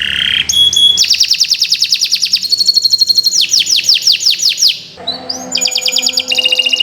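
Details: Canary song used as a training recording for birds that have stopped singing, long and continuous: rapid trills of repeated notes, fast downslurred sweeps and varied high whistled phrases, changing pattern every second or two.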